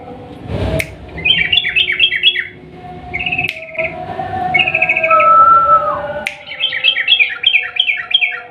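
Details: Long rolling song of a sooty-headed bulbul, played to lure a quiet bulbul into song. Quick bursts of bouncing, downslurred chirps open and close the passage, with short buzzy notes and a clear whistled slide in the middle. Sharp clicks are heard.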